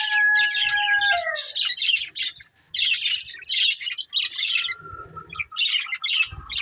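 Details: Breeding pair of budgerigars: falling whistled notes open, followed by bursts of buzzy chirping chatter broken by short pauses, and a brief flat whistle midway.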